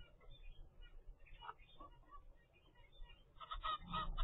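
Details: Captive zebra finch baby at 25 days old, from a first clutch. Faint scattered nasal calls give way to a loud burst of stacked, honking begging notes over the last second, with low background rumble.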